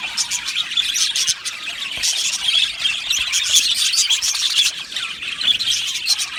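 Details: Aviary colony of Australian budgies giving a steady mass of high chirps, clicks and warbling chatter, with many birds overlapping throughout.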